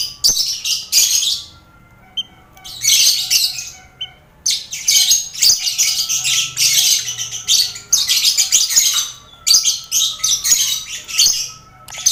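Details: Mixed colony of lovebirds, finches and quail in a noisy cage, meant as mental training for contest lovebirds; grating chatter in long bursts with silent spells, plus a faint thin steady tone underneath.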